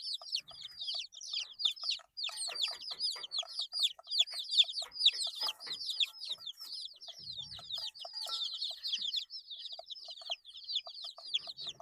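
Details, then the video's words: Crowd of baby chickens eight days old, peeping continuously: shrill, falling cheeps tumbling over each other without pause, a soft low knock midway. "Chicks Chirping Sounds - Baby Chicken Sounds"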